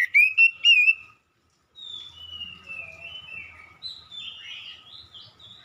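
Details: Oriental magpie-robin lure song meant to provoke an answer. A loud, clear whistled phrase of a few rising and wavering notes opens. It is followed by quieter, long, thin whistles and scratchy warbling further back.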